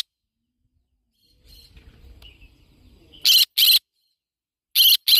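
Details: Yellow-sided conure parrot calling in two pairs of loud, raspy screeches about one and a half seconds apart, preceded by a quiet chirp and faint low rumble.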